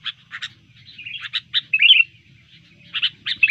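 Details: Sooty-headed bulbul singing energetically when disturbed, in fighting mood: short bright chirps and a few slurred whistled notes in scattered bursts, with a longer warbled phrase in the middle, over a faint low hum.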